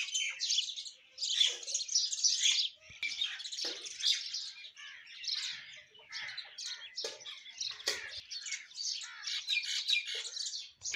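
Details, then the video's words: Morning song of a myna among Indian birds, a busy stream of harsh chirps and chattering bursts with brief gaps, notes tumbling over each other and a few sharp clicks between phrases. "birds chirping sound singing myna indian birds morning birds sounds"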